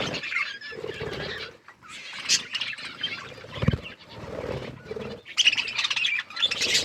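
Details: Budgerigars chirping while they eat and play: dense, scratchy warbled chatter runs almost without break, alongside lower droning tones and occasional thumps.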